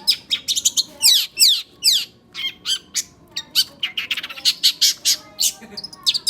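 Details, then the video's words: Oriental magpie-robin singing non-stop: very high, fast downward-sweeping whistles and sharp chirps in quick varied bursts, several notes per second, with brief gaps between phrases. "burung full non stop berkicau kacer"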